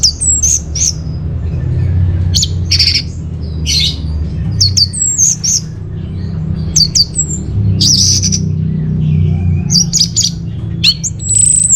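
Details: Orange-headed thrush in Bali singing as a lure and master song: long run of rapid high chirps, trills and short whistles in bursts, steady low hum underneath.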